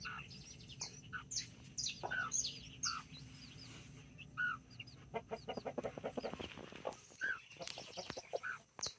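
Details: Nine backyard chicks, four mini and five Brahma, with two mother hens in Colombia on 24 October 2024, a rooster nearby; dense mix of shrill chick peeps and short hen clucks, growing into rapid clucking toward the end.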